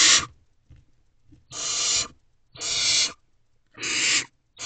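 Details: Barn owl family in a nest box before dawn, 12 May 2023, the adult male delivering food while owlets jostle: four rasping, drawn-out hisses about a second apart, with only quiet shuffling between bursts.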